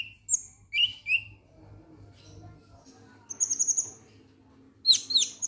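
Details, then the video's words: Konin lovebird 'ngek ngek' calls used as a song trigger: a few sharp squeaky chirps, a quieter stretch of low murmuring, then quick clusters of shrill high chirps. "Konin Ngek Ngek Ampuh Pancing Bunyi"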